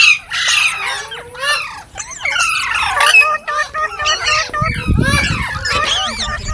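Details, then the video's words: Several green parrots chattering, short harsh squawks mixed with bending whistles and trills, calls arriving in clusters, a low rumble briefly near the end. "Beautiful Green Parrots Talking | Funny Parrot Sounds"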